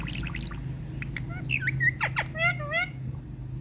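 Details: Talking Indian ringneck parakeet: a quick string of squeaky, speech-like syllables with nasal harmonic tones and short chirps, over a steady low hum.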